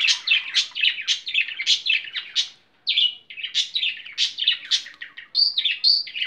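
A budgerigar chatters in a fast, scratchy warble of rapid chirps and squeaks.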